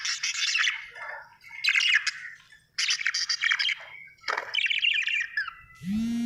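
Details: Budgie chirping happily: several separate phrases of fast, scratchy warbles and chirps with short gaps between them. A sudden rising tonal sound closes the recording.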